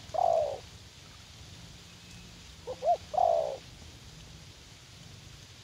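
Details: Garden setting in U Minh, a young caged spotted dove used as a fighting decoy: two long, rolling coos separated by a pair of short hoots, with long gaps between phrases.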